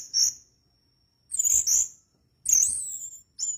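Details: Orange-headed thrush singing actively, giving very high, clear whistled phrases in bursts of about half a second to a second, separated by short silences.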